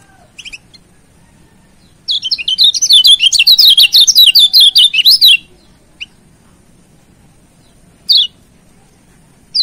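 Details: A Lombok yellow white-eye, used as a master and lure song, gives a rapid, high twittering warble lasting about three seconds, framed by a few sharp, thin chirps before and after.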